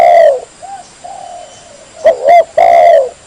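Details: Spotted dove calling clearly and loudly, a lure call for drawing in wild doves: low, hoarse coos with a long opening note, two soft short coos, then a sharp burst of quick notes and a final long drawn coo.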